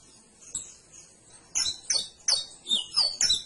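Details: Canary beginning with a faint note, then six loud, high whistled chirps with sliding tones, about three per second.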